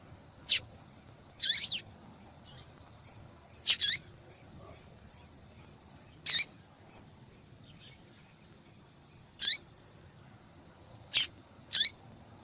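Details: Female yellow-bellied seedeater calling persistently to excite a male into song, a call valued at female-call tournaments. It gives sharp high ticks alternating with short buzzy slurred chirps, scattered every one to three seconds.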